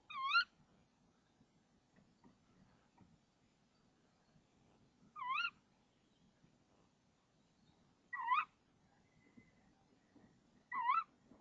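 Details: Nest-box female tawny owl at 05:28 on 26 March 2014, calling repeatedly for half a minute until the male brings a frog. Four sharp, nasal, rising-falling calls spaced two to five seconds apart, with soft low background noise.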